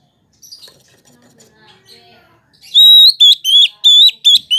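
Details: Oriental magpie-robin singing to spark a response from other magpie-robins: faint twittering, then a loud series of six clear, high whistles, each steady and slightly hooked at the end.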